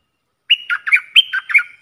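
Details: Caged red-whiskered bulbul kept as a decoy bird for luring, singing one quick, bubbly phrase of about eight warbled, chirping notes that rise and fall over just over a second, after a brief silence.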